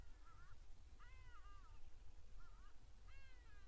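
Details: Hadeda ibises giving alarm calls live on a nature stream: four harsh, braying nasal calls within under four seconds, alternating longer drawn-out descending notes with shorter clipped ones, over constant background hiss.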